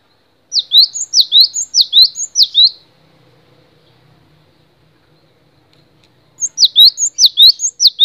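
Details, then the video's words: Cinereous tit, called gelatik batu, singing for a long masteran recording: a rapid series of high down-then-up whistled phrases, a pause of about four seconds, then the same repeated phrase resumes. "MASTERAN GELATIK BATU DURASI PANJANG"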